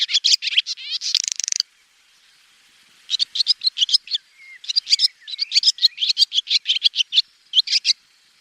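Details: Swallow singing a fast twittering song of bright chirps and a buzzy rattle, then a pause and a long run of sharp repeated twitters with short gaps, in quiet surroundings.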